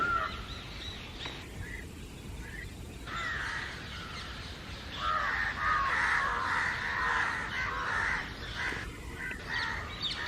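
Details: Mixed flock of house and jungle crows crying constantly at an intruder; a dense chorus of rasping caws swells in the middle, many birds calling at once at a rapid pace.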